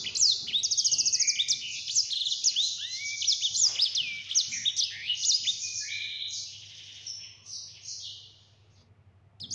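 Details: Yellow-fronted canary (sanger) in lively, clear-voiced rolling song (gacor ngeroll), used as a tutor recording for other birds: a fast buzzy trill opens, then slurred whistles and chattering notes that slowly fade, over a faint low hum.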